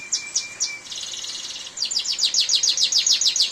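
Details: Canary singing during heavy rain: high, quick repeated chirps and a buzzy trill over a steady hiss of rainfall.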